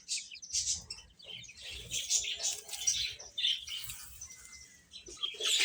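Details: Many chicks chirping as they feed, a continuous jumble of high, overlapping peeps with a few flutters and clear rising notes.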